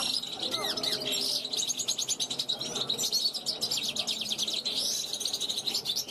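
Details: Rehearsing 2021-hatched European goldfinch calling from a balcony to wild goldfinches passing; a lively, chattering warble of quick high notes and rattling trills, almost continuous.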